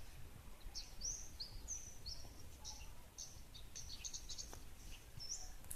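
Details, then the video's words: Olive-backed tailorbird calling: a quick series of thin, very high chipping notes, some with a short rising flick, repeated irregularly several times a second against a steady low background rumble. "Burung Prenjak Lumut"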